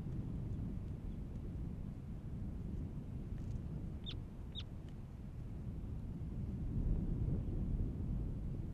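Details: On the Katmai coast, Katmai National Park, Alaska, in June 2017, a semipalmated plover gives two short, rising whistled calls in quick succession against a heavy low rumble that swells toward the end.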